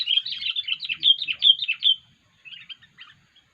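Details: Sooty-headed bulbul giving an unusual call used as a lure for trapping: about two seconds of rapid, buzzy, chattering notes, then a pause and a few fainter scattered chirps.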